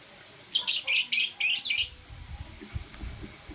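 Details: Blue and green pet lovebirds in the morning: four harsh, buzzy chirps in rapid succession, each a short burst of high, scratchy notes, followed by quieter low rustling and soft tapping.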